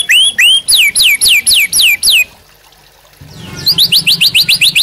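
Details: White-rumped Shama in captivity singing as a tutor and provoking song: a regular series of bright downslurred whistles, a two-second pause, then a faster burst of high upslurred notes over a low hum.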